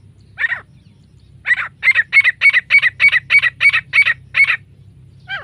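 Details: Female grey francolin: one harsh note, a short pause, then a rapid, regular string of about ten loud, ringing calls, roughly three per second.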